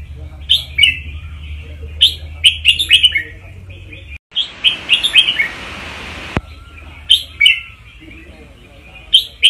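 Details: Red-whiskered bulbul as a song-teacher bird in Thailand, sung to rouse other birds: repeated short warbled bursts of bright notes, interrupted for about two seconds by a loud hissing noise, then resuming.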